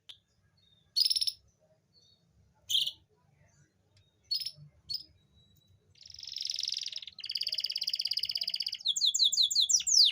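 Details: Canary singing to stimulate females that are slow to breed: short bright bursts at first, then a long buzzy rolling trill, then a fast series of sharp descending notes.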